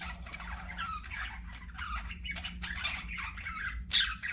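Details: Budgerigars kept as pets twitter and warble continuously in soft, scratchy chatter, ending with a sharper high squeak, over a low steady hum.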